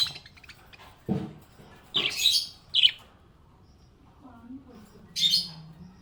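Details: Happy budgerigar giving a few short, sharp chirps and twitters spaced out over quiet stretches. A low murmur sounds near the start and a soft low hum toward the end.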